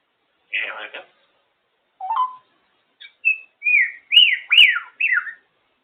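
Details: Female African grey parrot on top of her cage, vocalizing happily: a harsh rasp, a rising whistle, soft clicks, then a quick run of five short whistles that bend up and down, with sharp clicks between.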